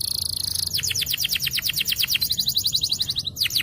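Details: Champion yellow canary singing a long song that starts with a fine high trill, moves into a fast sequence of falling whistled notes, then a brighter, quicker trill.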